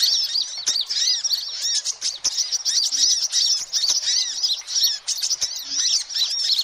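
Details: Sunbirds in a loud group, sound used as a lure for all kinds of sunbirds; high, thin chips and arched twitters pour out densely, overlapping voices, with faint wing-like flutters.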